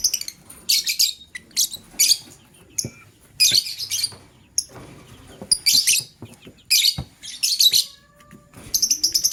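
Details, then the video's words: Male lovebird selecting a partner, chattering loudly in harsh, high-pitched bursts about a second long, repeated roughly every second or two, with thin single chips in between. "LoveBird Chirping Sounds - Male LoveBird Choose a Partner"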